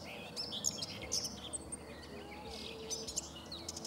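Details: Common whitethroat singing on 3 June 2017 by the Sava riverbank in Prečko, Zagreb, Croatia: short scratchy high twittering phrases in two bursts, over a steady low hum.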